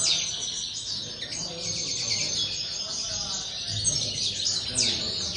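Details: Aviary linnets in full song: bright, rapid high-pitched twittering from several birds overlapping, with a sharp upward-then-falling note near the end and a soft low rumble beneath.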